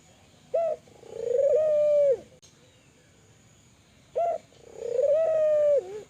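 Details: Spotted dove of the Kelantan type, in full lively voice, calling to stimulate other doves to call: two calls about three and a half seconds apart, each a short clipped note followed by a long, steady, mellow coo that drops at the end.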